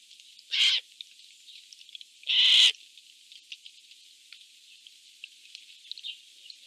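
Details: Eurasian jays fighting over food in a Polish forest: two harsh, rasping screeches about two seconds apart, the second longer and louder, over faint background hiss and small ticking sounds.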